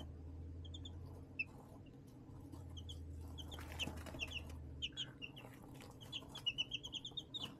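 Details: Young chickens raised in an indoor brooder box under a heat lamp, recorded March 20, 2024: bursts of high, short, descending peeps, often in quick runs, over a steady low electrical hum with soft scratching.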